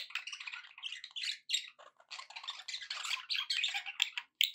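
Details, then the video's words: Cheerful pet budgerigars chattering in a fast, rasping stream of short notes and squeaks, nearly unbroken, with a couple of brief pauses. "happy budgie sounds"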